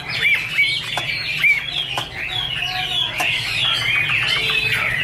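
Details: Chinese hwamei song from 2017: a busy tangle of bright whistled notes and quick slurs, some rising and some falling, overlapping almost without pause, over a low steady hum.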